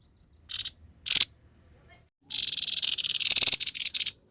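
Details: Grey-headed babbler singing a fast 'konslet' chatter: a few soft high pips, two short grating bursts, then a long continuous rattling, buzzy run of rapid notes lasting nearly two seconds.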